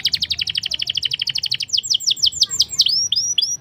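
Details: Black-throated canary singing to prompt canaries into song, a rapid run of sharp repeated chips slowing into loud downslurred whistled notes and brief rising whistles.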